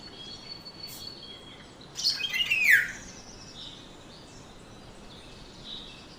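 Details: Black-naped oriole uttering one brief, harsh descending squawk about two seconds in, framed by quiet background and faint high chirps from other birds.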